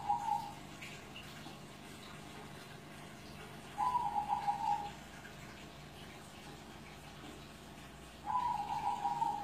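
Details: A zebra dove over seven years old gives soft, bubbling, rolling coos in short phrases about every four seconds, over a steady low background hum.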